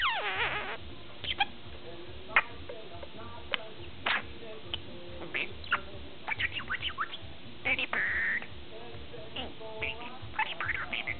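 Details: Chatty ten-month-old budgerigar kept as a pet, producing a varied stream of clicks, squeaky chirps, a longer buzzy note and warbled phrases, with quiet gaps between bursts and low background hum.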